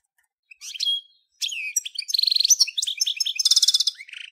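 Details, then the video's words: European goldfinch of the Major form singing: a thin whistled note, then a fast liquid twittering of high trills, buzzy rattles and tinkling notes, ending in a short rising twitter, with no other sounds. "صوت الحسون الأصلي - Stieglitz Major Beste Gesang - Le roi du chardonneret"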